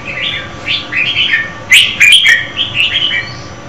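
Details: Female red-whiskered bulbul singing to stimulate a male: a series of short, slurred, whistled notes, a few sharp clicks in the middle.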